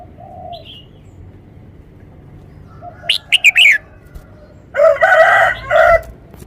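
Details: Caged red-whiskered bulbul, a Thai contest bird, showing its song phrasing clearly with every note stressed: brief rich warbled phrases with sharp high notes, separated by quiet pauses, plus a lower mellow background bird.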